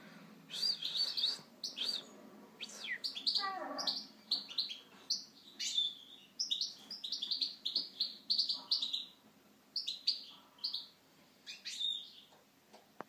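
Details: European goldfinch pours out a long, lively twittering song of rapid high tinkling notes and liquid trills, with a brief buzzy, descending note near four seconds.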